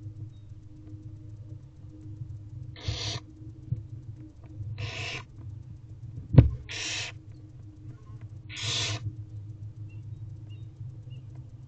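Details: Barn owl owlets in a nest box at 10:08 am, fed by their mother, who tears prey into pieces; four long, harsh, hissing screeches spaced about two seconds apart over a low hum, with one sharp click.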